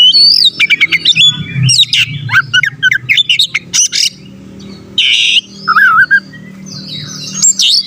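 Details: Lively Oriental magpie-robin (kacer) song meant to provoke rival birds: rapid clipped whistled notes in fast runs, a harsh rasping burst, then a warbling wavy phrase and sweet high whistles, with a faint low hum behind.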